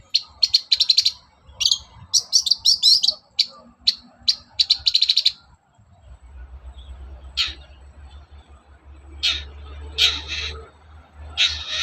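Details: Morning song of a long-tailed shrike, played to provoke other shrikes into singing: rapid bursts of scratchy, high chattering notes in the first five seconds, then sparse harsh calls spaced apart over a steady low hum.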